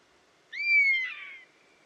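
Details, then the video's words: Bird of prey calling in the wild: one buzzard cry, a clear whistled note that swoops up briefly and then sinks slowly for about half a second before breaking into a coarser, wheezy finish against faint background hiss. "Buzzard Sound | Hear the Wild Call of a Majestic Bird of Prey"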